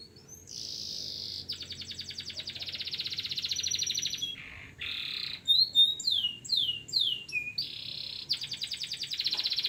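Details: Local canary tutor song: long buzzy rolls, a brief pause, a broad harsh buzz, a run of bright swooping whistles, and a closing rapid rolling trill.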